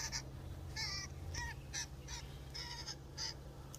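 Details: A Common Grackle in a backyard in Ontario, Canada, gives about seven harsh, nasal notes at an uneven pace over a steady low rumble.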